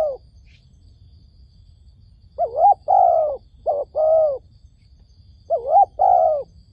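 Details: Dove kept as a trapping decoy to attract wild doves, giving bursts of paired coos, a brief warbled note followed by a longer level one, separated by quiet stretches of low hum.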